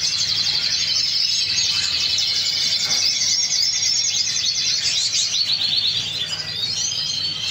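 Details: Spanish canary (Serinus canaria) song: a dense, unbroken stream of high, fast chirps, trills and thin whistles, with several birds apparently singing together.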